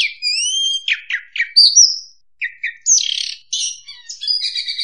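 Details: Lure song of the oriental magpie-robin for bird trapping, opening with long rising whistled slides, then quick chirps, a brief pause, and a burst of harsh, buzzy notes mixed with sweet whistles.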